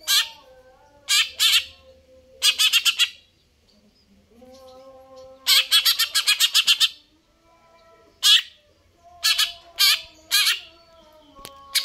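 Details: Greater green leafbird in persistent full song: loud harsh chattering bursts in rapid clusters of several notes, separated by short pauses, with softer lower whistled notes between the bursts.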